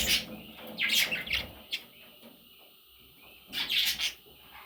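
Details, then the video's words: Baby parrots giving bursts of shrill, scratchy chirps, one group at the start, a short call near the middle, then another loud cluster toward the end, with quiet gaps between. "Baby Parrots – Sweet Little Chicks!"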